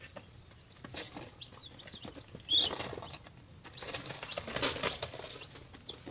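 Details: Baby chicks, three days old, give scattered high slurred peeps, including one long, level whistle near the end, over rustling and scuffling that swells in the second half.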